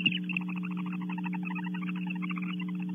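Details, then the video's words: Barn owls at a nest box camera at Audubon Starr Ranch, California, chirping after the female and then the male return to the nest: rapid, regularly repeated chittering notes run throughout over a steady low electrical hum. "Female returns, then male, chirples follow"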